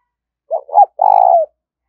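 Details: Spotted dove in 'gáy thúc' and 'gáy gọi' call styles, used to train decoy birds: two quick soft coos and a long purring coo. A faint higher chirp sounds during the last note.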